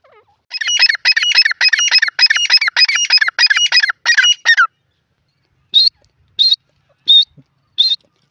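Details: In a jungle, a grey francolin gives eight rapid, shrill, grating phrases in quick succession, pauses, then four short clear whistled notes spaced about two-thirds of a second apart.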